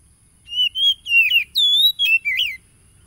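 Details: Oriental magpie-robin, a wild-caught bird, recorded on 30 July 2022 in Tulus Rejo village, East Lampung, Lampung, Indonesia, sings a rich, varied phrase of clear whistles, sliding and dipping, in about six quick bursts over two seconds.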